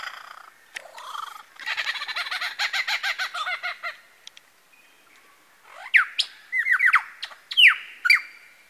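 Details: Lyrebird (male) at Masons Falls, Kinglake National Park, imitating various birds: a rapid rattling trill of repeated notes for two seconds, a pause, then loud descending whistled slurs repeated several times.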